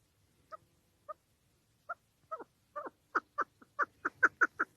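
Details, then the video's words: Female Chukar partridge call, used as a lure for hunting: short clucking notes that start sparse, then speed up into a steady, louder run of sharp chuk notes. "Овози модкабки шикори барои шикор, Dişi keklik sesi, صدای کبک ماده برای شکار، صوت الحجل الانثی طویل"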